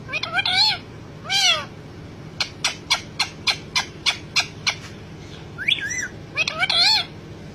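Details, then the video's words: Pet parrot vocalizing excitedly: several harmonic, bending squawk-like calls, then a rapid run of about ten short clipped notes, followed by more rising and wavering calls, over a steady low background hum. "talking parrot"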